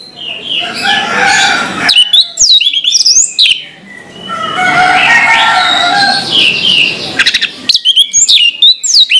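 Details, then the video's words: Orange-headed thrush singing in the morning: varied clear whistled phrases and sliding notes, broken by dense, noisy twittering bursts and brief pauses. "suara anis merah plong pagi hari"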